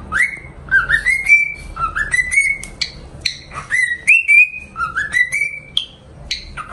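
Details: Cockatiel (Nymphicus hollandicus) whistles a song of clear, rising notes in short repeated phrases, as a song for training cockatiels to sing.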